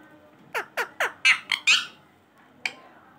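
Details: Pet Indian ringneck parrot that talks non-stop: six quick, harsh, downward-sliding syllables in about one and a half seconds, a pause, then one more short clipped note in a quiet room.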